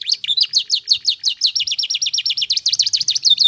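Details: Canary singing to make other canaries respond, a continuous rapid trill of sharp, high, swooping notes repeated several times per second at a steady, energetic pace.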